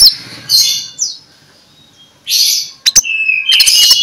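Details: Morning magpie-robin song in ngeplong style, used to lure other magpie-robins into singing: short bursts of high, hissy chatter and a falling whistle, a pause, then sharp ticks and a sustained whistled phrase.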